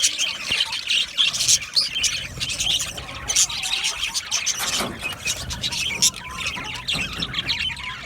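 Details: Budgies chirping and singing: shrill squeals and quick bright chirps layered over a constant twittering flock, with a few louder calls standing out.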